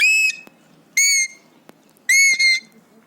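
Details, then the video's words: Excited three-year-old Alexandrine parakeet at home, mimicking whistles. Bright, ringing whistled notes with strong overtones: one long note, a second a second later, then a doubled note, almost noise-free. "Alexandrine Parrot Talking | Happy/Excited Parrot | Parrot imitates Cough & Whistles & Screams"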